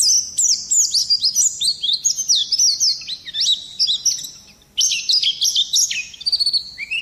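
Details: Continuous high twittering from an Oriental white-eye, used for luring birds and tutoring other songbirds: rapid thin chirps and slurred whistles in long bursts, with a short dip in volume midway before the torrent resumes.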